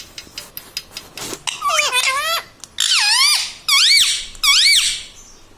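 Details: Green ringneck parrot kept as a pet, talking mummy and radhe radhe; soft clicks first, then a run of squeaky, swooping word-like syllables, the last three evenly spaced and arching up then down.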